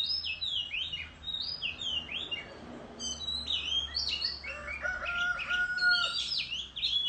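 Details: Oriental magpie-robin in a rural setting, dueling in song while fanning its tail: high slurred whistles and chirps, with steady lower drawn-out tonal notes midway and faint low background hum.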